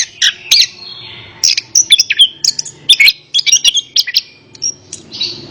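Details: Orange-headed thrush, recorded as therapy for a bird that will not sing, delivering sharp high chirps and varied whistled notes in quick clusters, with a softer, fading passage near the end.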